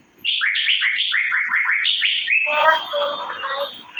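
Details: Asian fairy-bluebird (cucak biru) chirping: a fast run of clear slurred notes, each dropping sharply from high to middle pitch at about four per second, then a denser, rougher warble with stacked harmonics to the end.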